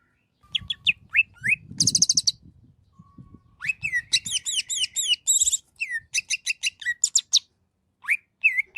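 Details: Greater green leafbird in lively masteran song: varied chirps and whistles, a short high buzz, then rapid bursts of slurred descending whistles and repeated notes, with a soft low rumble early on.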